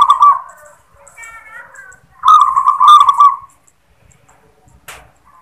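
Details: Local zebra dove singing "klar ketek kuk": a rolling coo, a softer wavering note, then a long purring trilled phrase, followed by near silence and a brief click.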